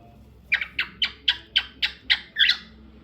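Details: Cockatiel, a pet bird kept indoors, giving eight short chirpy calls about every quarter second, each with a bright harmonic stack, ending in a slightly longer double note; quiet room background.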